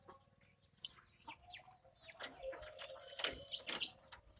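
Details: Javan myna, angry when watched while bathing, gives harsh, scratchy broadband bursts. Thin chirps come early, and a dense cluster of rasping notes follows around the middle and end, over a steady low hum.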